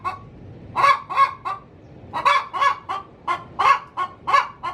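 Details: Laying hen cackling in her coop: a run of three harsh clucks, a pause, then a longer run of seven.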